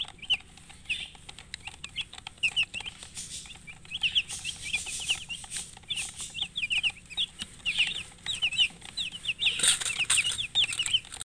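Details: Continuous high-pitched peeping from chicken chicks kept with a hen, the short upslurred chirps coming in busy bursts that grow louder toward the end, with faint hiss and tapping behind.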